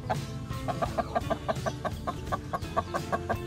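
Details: Hen out with her week-old chicks on a Sialkot, Pakistan farm, free ranging, feeding and taking a mud bath. Short, evenly spaced clucks repeat rapidly throughout, set against prominent music.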